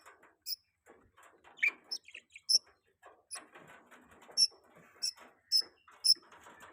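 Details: Budgerigars kept as pets, chirping in mating season. Bright, high ticking chirps are spaced about half a second apart over a continuous buzzy, chattering warble.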